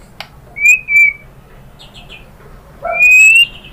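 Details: White-rumped shama song meant to draw other birds into singing: sparse, clear high whistles, a sharp click, a few quick slurred notes, then a long rising pure whistle over a quiet background.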